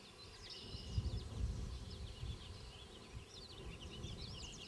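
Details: Banded Black-capped Chickadees, male and female, feeding young in a fence post near Queen's University Biological Station, spring 2006. Busy high squeaky chatter mixes with a few low thumps and knocks.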